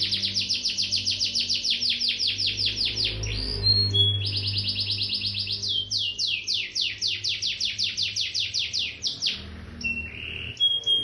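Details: Excited, agitated canary singing hard: fast rolling trills of repeated rising-falling notes, each sweep stacked into long runs, broken by brief pure whistles, over a steady low indoor hum.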